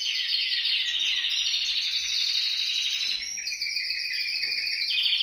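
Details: Canary singing in a recording meant to prompt pet canaries to sing: fast high rolling trills over the first three seconds, then a slight dip and a new run of quick pulsed tours.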